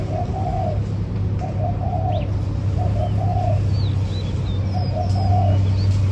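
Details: Spotted dove repeating its soft, low coo phrase about four times, each a pair of short notes then a longer slurred coo. A deep steady hum runs throughout, with faint high chirps from other birds.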